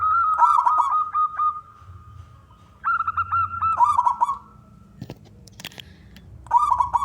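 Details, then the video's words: A male local zebra dove (perkutut) gives three bursts of soft, rolling, stuttering coos, each about a second long, with a few sharp clicks between them; used as a call to lure other doves into singing. "perkutut lokal gacor suara jantan"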